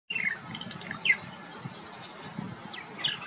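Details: Purple Martins at a colony in downtown Batavia, Illinois, give short, falling chirps, three clear ones about a second apart, over soft overlapping chatter and a low background rumble.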